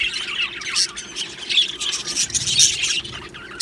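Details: Australian budgies chirping together in an aviary colony, a dense overlapping chatter of high squawks, chirps and warbles without pause.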